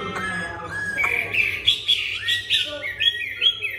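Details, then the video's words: Chinese hwamei, newly arrived, sings while turning its rump, with a supple, smooth voice: a fluid run of rich, high whistled phrases, each rising and falling, about every half second, over a faint low hum. "Họa Mi "quay mông" hót mà giọng dẻo kẹo"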